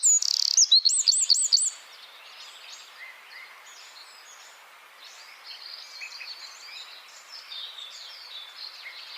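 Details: Wren, a small bird, singing dense rapid-fire 'tembakan rapat' training song: a loud burst of very high, fast looping trills for under two seconds, then fainter, scattered high chirps and twitters.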